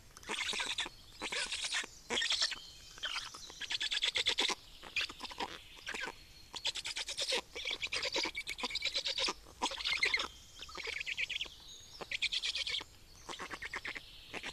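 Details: Estonian Black Storks at feeding time, 25 May 2019: repeated harsh, buzzy pulse trains about a second long, each followed by a brief gap, continuing steadily throughout.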